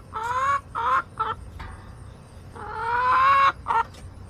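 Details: Hens in a backyard flock on August 28, 2024: a string of loud, nasal, rasping clucks, some short and clipped, one long drawn-out squawk near the middle, fairly quiet background.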